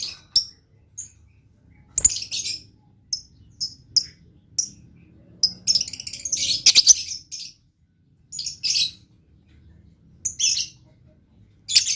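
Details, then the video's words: Blue lovebird giving scattered sharp, high chips that build into a dense buzzy chatter near the middle, then turn back into sporadic short chirps. "LOVE BIRD GACOR"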